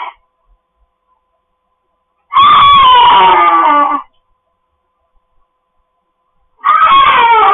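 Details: Indoor pet cockatoos screaming: a loud, rasping shriek of nearly two seconds after silence, then a further scream begins near the end.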